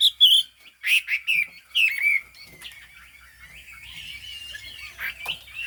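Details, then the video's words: Chinese hwamei, yellow bill and fig-leaf tail, in high song: a few loud, abrupt whistled notes in the first two seconds, then softer, thin wavering whistles trailing off. "Họa mi hót cao cầu"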